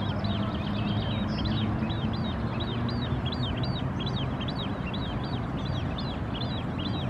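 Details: Foraging white wagtail on a Helsinki shoreline, Finland, June 2016, giving fast repeated arched chirps, about two to three per second, with a constant deep background rumble beneath.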